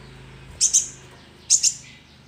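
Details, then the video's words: Young sunbird calling, recorded for use as a lure: two quick high, thin double chirps about a second apart, over a steady low hum. "Pancingan suara konin"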